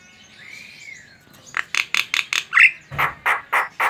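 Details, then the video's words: A Javan myna's chattering song, meant to draw other mynas into song: a soft arched whistle, then a series of harsh, rasping notes repeated roughly four times a second. "Suara burung jalak kerbau ngoceh | pancingan jalak kebo"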